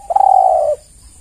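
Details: Tekukur, the spotted dove, calling to lure other doves: one sustained low coo with a faint tremble at its start, held nearly flat and fading slightly at the end.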